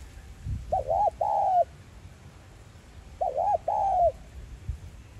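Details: Spotted dove, 'giọng son' voice, used to excite trapping decoys. Two matching coo phrases about two and a half seconds apart, each a short double note followed by a longer drawn-out, falling coo, with faint low rumble between.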